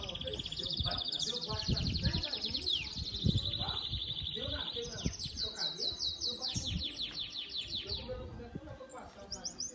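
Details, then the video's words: Domestic Belgian canary singing at the seventh edition of a singing competition; long rolling trills, high and fast, shifting through several pitch levels with brief buzzy notes, over a low rumble of background noise and faint voices. "Canário Doméstico "Belga""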